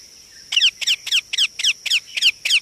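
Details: Indian ringneck parakeet chick calling insistently: eight harsh, scratchy chirps, each sliding downward, repeated about three times a second at an even pace, over a steady high-pitched hiss.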